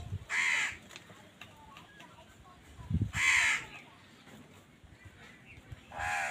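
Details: Three widely spaced harsh caws from crows fighting other wild birds for food, over low rumbling background noise with a brief thump before the second call.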